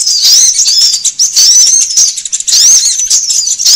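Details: Rapid, high sunbird twitters used to attract birds, swooping chips strung into a steady chatter with a slightly broken, stuttering patch midway.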